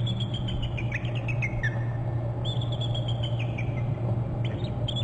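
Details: Nest-territory bald eagle on Hornby Island calling in two series of thin, whistled chips that slide downward. A stranger eagle is reported in nearby trees. Droning low camera noise runs underneath.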